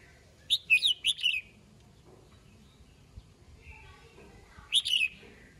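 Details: Red-whiskered bulbul's morning song to call the flock: a lively string of sharp chirps, a quiet pause with faint whistles, then another bright chirpy burst.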